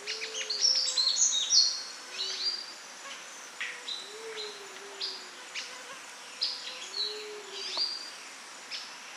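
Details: Sunbird in its natural habitat giving rapid, high, sweet chirps and thin twittering notes, dense at first then scattered, while low soft hooting calls repeat in the background.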